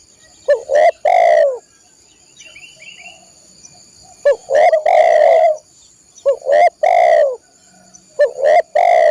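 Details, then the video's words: Loud spotted dove cooing used as training audio for caged birds: repeated phrases of a short rising note followed by longer hoarse low coos, separated by gaps of about two seconds. "masteran burung tekukur/derkuku"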